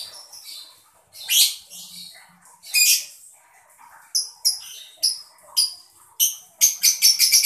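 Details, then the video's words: Chirping mocca lovebird, played to get other birds singing: scratchy, buzzy chirps that quicken into a string of short, clear whistled notes, ending in a fast rattling series. "lovebird mocca gemericik cocok buat mancing burung biar gacor"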